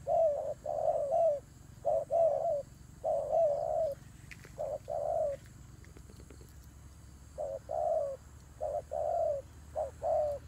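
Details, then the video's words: Turtle dove in a fight, delivering runs of soft low coos in short-long pairs, with a pause of a few seconds midway before the cooing resumes. "God dove Fighting"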